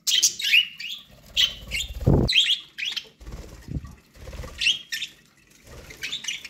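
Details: Budgies kept as pets, eating corn, give rapid high chirps and twitters in irregular bursts, mixed with low knocks and rustling from the birds feeding.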